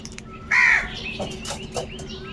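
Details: Crows calling while searching for food: one loud, harsh, rasping caw lasting about a third of a second, followed by softer calls and chirps from other birds in the background.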